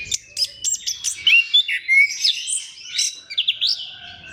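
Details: Orange-headed thrush song meant to set other thrushes singing, with quick sequences of sharp high chirps and thin whistles, some notes slurring upward, delivered in rapid uneven bursts.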